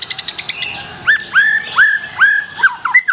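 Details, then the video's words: Black-tailed white-rumped shama song: a few quick high chirps, then loud, rich whistled notes that swoop up and level off, repeated roughly every half second. "SUARA BURUNG : Murai Batu Ekor Hitam, Tonjolan Mantap."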